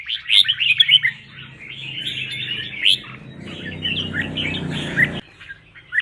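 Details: Red-whiskered bulbul fighting song used to train caged birds for singing contests and rouse newly caught birds: bright, bubbly chirped phrases in quick bursts, louder in the first second, with a low hum beneath that stops near the end.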